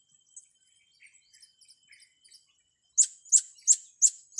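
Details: Blue-crowned hanging parrot used to train young birds: soft, faint high twitters, then five loud, piercing chirps repeated evenly about every third of a second.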